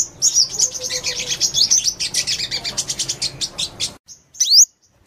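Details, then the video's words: Rapid, high chirping twitter of a purple-throated sunbird for four seconds, then a pause and a single sharp, rising squeak. "Tiếng Chim Hút Mật 5 Màu"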